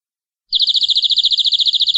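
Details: Canary in long song, launching abruptly into a very rapid, pure, metallic trill of tightly repeated high notes that continues steadily for about one and a half seconds.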